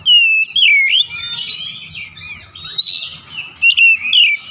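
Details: Oriental magpie-robin singing loud varied whistles, rising and falling slurred notes mixed with harsher squeaky bursts, phrases separated by brief pauses, light low background noise.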